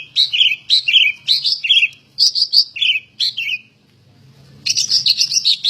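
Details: Captive greater green leafbird, called very gacor and ready for competition, repeats a bright two-part whistled phrase about eight times in rhythmic succession, pauses briefly, then bursts into a fast run of chirpy notes.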